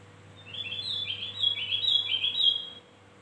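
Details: A Javan grey-throated white-eye sings a quick, bright chattering warble as lure audio for attracting birds; the busy high notes run for roughly two seconds, then stop, leaving a low electrical hum.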